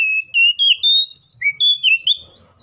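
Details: Oriental magpie-robin delivering a fighting song to rouse other magpie-robins: a string of clear, rising whistled notes stepping upward, one low downslur, then fading out over faint background noise.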